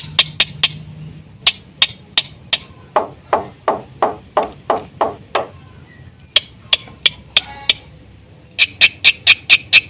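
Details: Black-winged myna in energetic 'gacor full isian' song: spaced clicking ticks, then a run of harsh, broad rasping notes repeated about twice per second, followed by further sharp ticks and high metallic notes.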